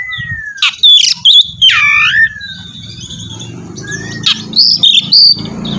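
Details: Oriental magpie-robin used as prompting for another bird to sing, with a few swooping notes, level whistles and sharp chips separated by pauses, over a steady low hum.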